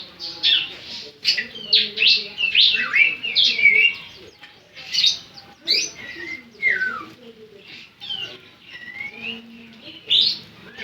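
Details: Semi-gacor Javan sun-bird giving varied high twittering phrases with swooping, falling whistled notes and scattered chirps, irregularly spaced, over a low background hum.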